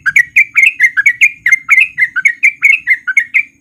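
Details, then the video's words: Sooty-headed bulbul lure song, a breeding-condition male in rapid ropel style meant to make quiet bulbuls join in: clear, loud, bouncing chirps repeated about twice a second, steady and clean with little background. "Pancingan Trucuk Gacor Biar Trucuk yang Malas Bunyi jadi Ikutan Bunyi"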